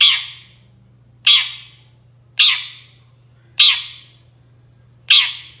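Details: Long-tailed shrike sound used to provoke other shrikes to reply: five rasping, screechy notes delivered at a fairly even pace, about one per 1.2 seconds, with a steady background hum.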